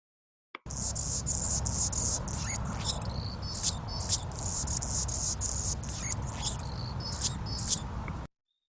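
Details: Anna's Hummingbird perched among branches, chirping, trilling and squeaking in a rapid run of high, thin, scratchy notes, several per second, over a steady low rumble of background noise.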